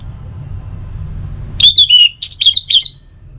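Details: Orange-headed thrush song used as a morning and evening lure to get other birds singing: after quiet background hum, a burst of six loud, clear whistled notes, slurred and warbling, in quick succession.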